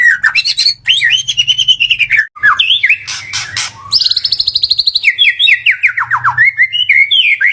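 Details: White-rumped shama in continuous full song, used as a lure for other shamas: sweeping whistles, a rapid high trill near the middle, and strongly falling repeated whistled notes toward the end.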